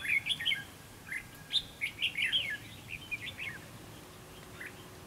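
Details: Decoy red-whiskered bulbul in a fighting trap sings to draw in rivals: a lively series of clear, bouncing chirps and whistled slurs, delivered in quick bursts for several seconds, then a few isolated notes.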